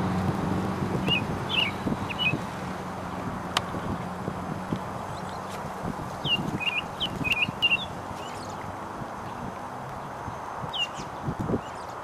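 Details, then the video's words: American robin at Maizerets on 28 April 2010 gives short, high chirped notes in loose clusters of two or three, over a steady low rumble of distant traffic. "Merle d'Amérique"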